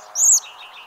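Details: American robin, a bird more common locally in fall and winter, giving one thin, high, level whistled note lasting about a quarter second over a steady low background hum.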